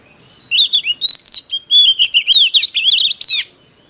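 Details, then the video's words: Decoy Oriental magpie-robin in competitive fighting song: a three-second run of clear whistles, sweeping slurs and short chips, each note changing pitch, delivered rapidly with no other sounds around. "Choè than mồi || SIÊU GỌI BỔI || Chích choè than hót đấu"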